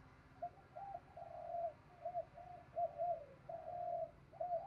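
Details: Spotted dove singing in the morning in the 'thổ' voice with 'thúc gù' to attract wild doves. A string of low, fairly faint coos sounds over a steady background hiss and rumble.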